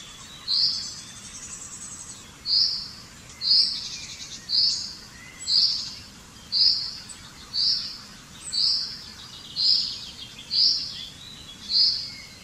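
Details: Common chaffinch (Fringilla coelebs) repeating a high, clear single note about once a second, eleven times in a steady series, with soft higher notes in the background.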